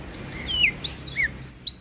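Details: Brief bit of song from a prinia of NTB, Indonesia: four or five high, whistled, slurred notes, each rising then falling, spaced unevenly.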